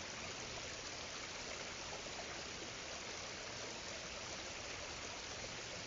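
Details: Continuous rushing, hissing water like a stream, even and unbroken, with no animal calls audible.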